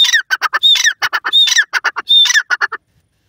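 Francolin giving a loud, harsh run of grating notes, about a dozen in under three seconds, broken by brief clear whistles, then stopping abruptly.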